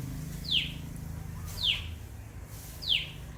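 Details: Common tailorbird giving three loud, sharp downward-sweeping chirps about a second apart over a low rumbling background.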